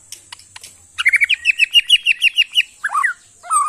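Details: White-rumped shama from Borneo's Kalimantan forests, kept in a cage, giving a rapid series of about a dozen sharp chirped notes, then downslurred whistles, with a few clicks before.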